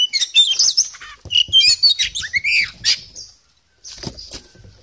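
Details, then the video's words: Energetic singing from a poci Oriental magpie-robin, its song full of varied phrases: a rush of high chirps and curving whistles for about three seconds, a brief silence, then softer scratchy notes resume. "KACER POCI GACOR, NGOBRA FULL ISIAN"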